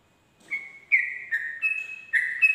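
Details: Sooty-headed bulbul, 'ropel' song at dawn: after half a second of quiet, sliding clear whistles step back and forth between a higher and a lower pitch.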